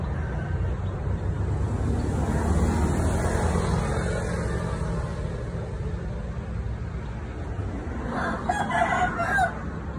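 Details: A fighting rooster (gamecock) gives a drawn-out, harmonic crow near the end, over a steady low rumble of background noise.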